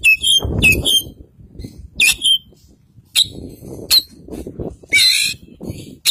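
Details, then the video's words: Oriental magpie-robin, Kacer Poci form with white breast, East Java, in full isian song: slurred whistled notes and harsh buzzy chirps in irregular bursts over low rumbling noise. "Burung Kacer Poci Jawa Timur Full Isian"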